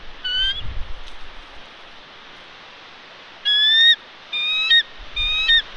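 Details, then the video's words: Bald eagle female guarding eggs at her nest on Santa Catalina Island, California, in February while ravens harass her; thin, piping whistled notes, one early, then three quick bursts of repeated chirps near the end, with faint wind between. "Ravens Harass Thunder❗️She Calls, Wingslaps & Stays Put!"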